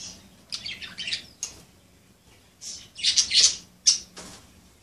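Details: Budgerigars playing together give clusters of raspy, buzzy chirps and squawks, a louder chattering burst near the end, separated by short pauses.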